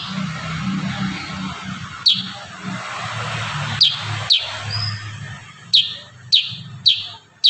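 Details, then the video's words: Ashy Tailorbird in full song gives sharp, high, downslurred chip notes, singly or in quick pairs, about every second, over a low steady hum. "Masteran burung kurincang tembakan rapat"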